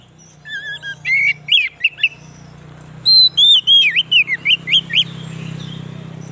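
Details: White-rumped shama song used as a lure to attract wild shamas: a run of loud, clear whistled notes, rising and falling, some with quick upward and downward slurs, with a faint low hum behind.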